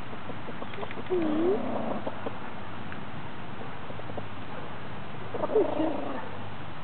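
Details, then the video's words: Dustbathing hens purring contentedly, giving two soft, low, drawn-out notes that dip and then rise, one early and one near the end, over a quiet rustling background. "Purring dustbathing chickens"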